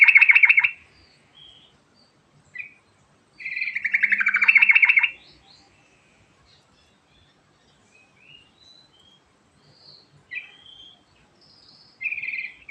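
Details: Yellow-vented bulbul singing the rolling 'ngerol' style: a loud rapid trill opens, a longer descending rolling trill follows, with short whistled notes between and another brief trill near the end.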